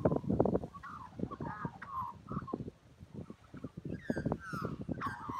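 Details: An Australian magpie sings, giving varied warbled notes with a few rich, harsh downward-sweeping calls near the end, beneath persistent low thumping and crackling noise.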